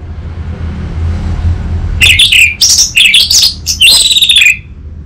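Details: From Singaraja, North Bali, a lure song of the orange-headed thrush for training a raw bird: after quiet low hum, a loud rush of high, chattering whistles and trills lasting about two and a half seconds.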